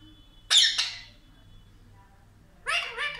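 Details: Indian ringneck parakeet that talks, saying words for mummy and papa, with a harsh double squawk, a quiet gap, then a short burst of rapid chattering syllables.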